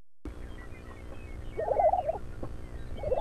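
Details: On an early-morning outing in 2009 on a ranch near Buffalo, Oklahoma, a lesser prairie-chicken gives a bubbling, gobbling burst of mid-pitched notes, then a shorter second burst, over a low background rumble.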